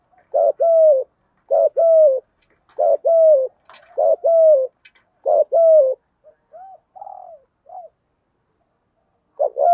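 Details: Spotted dove kept as a lure for wild doves, giving repeated paired coos, a clipped note and then a drawn-out falling one. Softer, wavering murmurs follow near the end before the cooing resumes.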